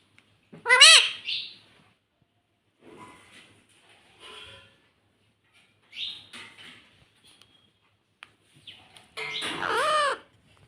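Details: Pet parrot saying "mummy": one sharp harsh squawk early, faint scattered murmurs in between, then a loud buzzy, wavering call near the end.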